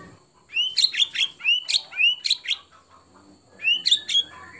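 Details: White-rumped shama singing to prompt other shamas: rising whistled notes followed by clustered chattering bursts, repeated in three groups, with a faint steady high tone in the background.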